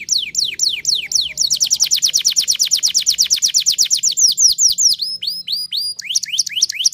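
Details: A canary sings loud, high whistled notes that slide downward, then breaks into a long, very fast trill of repeated chips before returning to slower swooping whistles.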